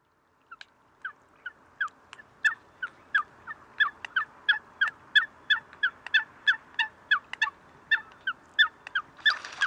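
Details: Eurasian coot recorded in Greece, February 2023: a steady stream of short, nasal, honking notes repeated about every half second, growing louder and ending in a noisy burst.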